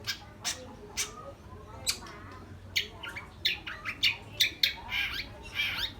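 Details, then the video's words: Long-tailed shrike singing persistently: scratchy harsh notes, sparse at first and then quickening into a busy run of rasping, chattering calls about twice per second, with faint low hum behind. "Cendet rajin bunyi"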